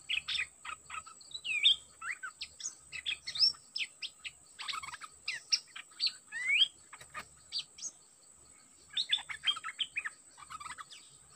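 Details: A Dok Taeng decoy bird sings with an aggressive captured wild bird. Long runs of rapid chirps, twitters and looping whistled slurs pour out almost continuously, pausing briefly before a final burst, with a steady faint high whine behind.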